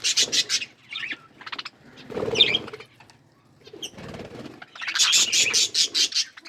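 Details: Pet budgerigars eating green food, giving bursts of high, buzzy chirps and chatter in short clustered runs separated by brief pauses, with soft low rustling underneath.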